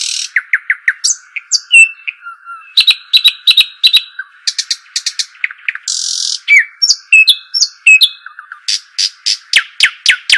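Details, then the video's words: Arabian babbler calling: quick runs of sharp descending chirps, brief trills, buzzy hissing bursts and short whistled notes in varied sequence, over a steady high continuous tone. "صوت الشحيم الاصلي او صوت طائر الدخل"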